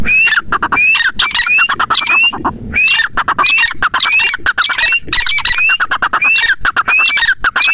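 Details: Grey francolin, known locally as teetar, giving a continuous run of loud, grating notes with bright rising whistled ends, about one and a half phrases per second, with a short break midway.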